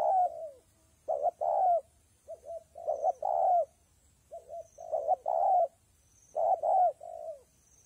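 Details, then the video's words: A spotted dove coos in rain and wind, repeating low hollow phrases about every one and a half seconds. Each has two quick notes and a longer, slightly falling coo, with some softer coos between. "Thời tiết mưa gió ace vào nghe cu gáy gù cả ngày"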